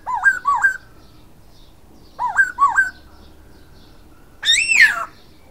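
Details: Silver-eared laughingthrush repeating paired wavy upslurred whistles twice, about two seconds apart, then a loud harsher arched note that falls away. Faint low background hum.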